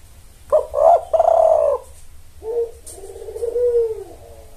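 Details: Spotted dove calling as a lure to summon males: two throaty, husky coos, a pause, then a softer, longer cooing phrase, over a low steady hum.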